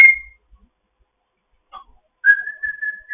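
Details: Morning sounds from a foster African grey parrot: a brief high whistle, a long pause with a faint squeak, then a steady clear whistled tone held for nearly a second.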